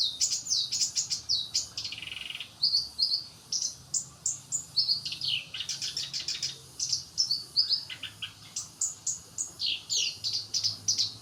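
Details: Black-browed barbet singing a busy run of high, sharp chirps and short rising notes in rapid clusters, occasional brief buzzy bursts, steady pulses continuing throughout over a faint low hum.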